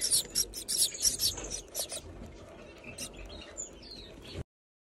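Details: Finch; begging call; chick begging while being fed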